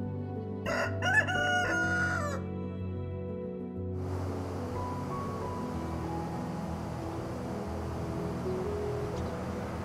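A rooster gives one loud, hoarse cock-a-doodle-doo crow over soft background music.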